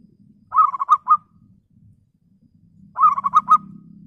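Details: Local zebra dove, clear-voiced lure bird used to call rivals into answering: two phrases of rapid bubbling coos, each a quick stuttered series of four or five notes, with a low hum underneath.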